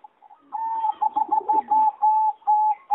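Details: Competition-bred singing zebra dove recorded in an aviary on 26 April 2014. It gives clear, steady whistled coos: a long held tone broken into quick staccato pulses, then longer level notes, with faint soft chatter underneath.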